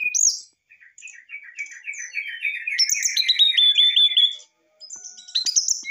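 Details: Brown-chested jungle flycatcher in an excited, emotional outpouring of song meant to provoke a response: a rapid run of short, high, sweet notes repeated many times, then bright higher whistles after a brief pause.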